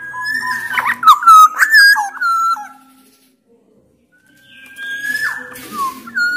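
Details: Sumbawa black-naped oriole singing hard and loud to lure other orioles into song: a run of fluty whistles with quick rising and falling slurs, then silence, then a long steady whistle and a rasping, nasal call.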